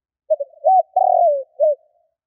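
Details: Spotted dove giving a 'kích bổi' style call: one clear, mellow cooing phrase of short hooted notes, a longer drawn-out coo falling at its end, then a final short note, over total silence.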